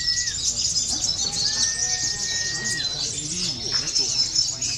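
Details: A local olive-backed sunbird performing, also used for contest training, gives a rapid, dense, high-pitched twittering song without pause, with a few longer, steady, lower whistled notes.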